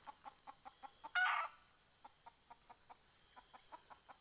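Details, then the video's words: Decoy junglefowl hen calling wild fowl, 20 April 2020: a series of soft, short clucks at a steady quick pace, broken once by a brief harsh squawk-like burst, with constant background hiss. "ไก่ต่อแม่กะตาก poj qaib dib tsauj zoo cuab heev"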